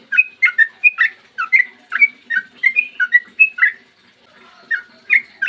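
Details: Morning ropel song of a Sooty-headed bulbul, used to lure other bulbuls into song: fast runs of bright, gurgling whistles for four seconds, a brief pause, then a few more notes, over a low steady hum.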